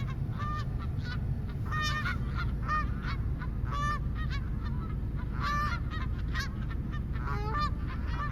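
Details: Geese making noise in bursts of loud, brassy honks, clustered calls with brief pauses between, set against a persistent deep background rumble.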